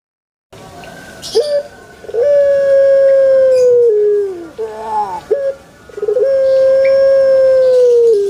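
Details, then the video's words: Two long crows from a pelung chicken in a banana plantation. Each opens with a brief clipped note and then holds a level, ringing tone for about two seconds that sags slightly at the end. "SUARA ASLI PUTER PELUNG Di KEBUN PISANG"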